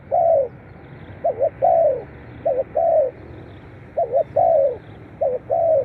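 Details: Spotted dove calling for playback that stimulates captive doves. Steady repeated phrases: a pair of quick wavering notes followed by a longer, smoothly falling coo, about four phrases over a steady background hiss.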